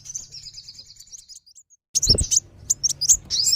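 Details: Lure call for wulung and sogon sunbirds to attract wild ones: a thin high trill fading out, a brief pause, then a burst of sharp chirps and squeaky notes with a low thud.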